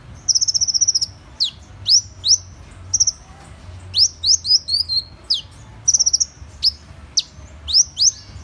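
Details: High, sharp song of Van Hasselt's sunbird, Leptocoma brasiliana: rapid buzzy trills mixed with many short downslurred and twisting notes, delivered in quick bursts across the whole stretch, sounding thin and piercing.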